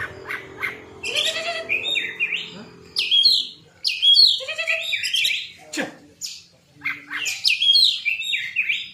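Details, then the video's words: Oriental magpie-robin song serving as a lure to prompt other magpie-robins to respond: rapid clusters of harsh chirps and squawky whistles, broken by short silences, repeated in several bursts. "MANCING KACER CEPAT RESPON"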